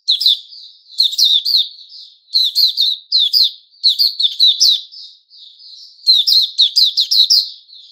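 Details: Kept white-rumped shama (Puteh Raja) in song, recorded 29 August 2021: clusters of quick, sharp chirps roughly every second, each burst rich and ringing, linked by thinner drawn-out whistles in a quiet setting.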